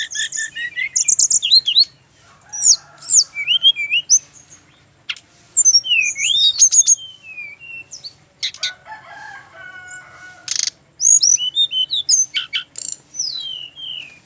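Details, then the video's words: Brown-chested jungle flycatcher, a male from Bali, delivers bursts of high sweet whistles, downslurred notes and sharp chips in phrases separated by short silences, with a few harsh buzzy notes near the middle. "SRDC laen langsung nyaut denger suara burung SIKATAN RIMBA INi"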